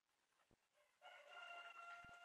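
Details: A rooster in Taflancık village, Ünye, Ordu, Turkey, on 7 May 2024, coaxed by a person to crow, gives a loud, harmonic, sustained crow after a second of quiet, with faint background noise and soft clicks before it; chicken.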